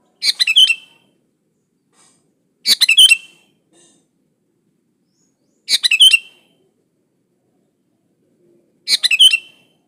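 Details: Pure, lively sooty-headed bulbul song serving as a lure for other bulbuls: four short chortling whistled phrases spaced evenly, about every three seconds, each a brief cascade of quick notes ending in a slurred downward whistle.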